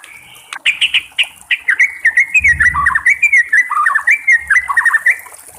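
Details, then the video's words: White-rumped shama in the wild, with trickling water mentioned: a rich, rapid run of varied whistled and chirping notes, mostly mid-high pitched, delivered in quick bursts with slurred descending phrases; a brief low rumble in the middle, faint hiss above. "SUARA BURUNG MURAI BATU DI ALAM LIAR"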